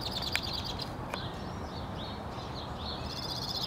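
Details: Singing male white-winged crossbill, northwest Regina, Saskatchewan, Canada, April 3, 2017: a short high trill and two sharp clicks, then a string of gentle slurred warbles rising and dipping, ending in a faint fast trill, against steady low noise.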